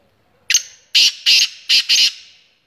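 Black francolin giving a quick grating phrase: a short click, then four loud, harsh, rasping notes in a fast even rhythm.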